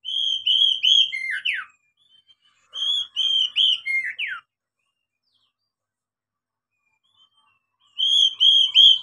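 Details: Oriental magpie-robin singing to prompt young birds to sing: three bursts of rich, rapid whistled phrases with steady repeated notes and downward slurs, separated by clean silent gaps.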